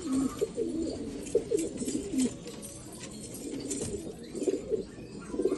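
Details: Black Afghan pigeons in Afghanistan cooing: several low, soft, throaty coos overlap and repeat throughout, with faint rustling and indoor room noise.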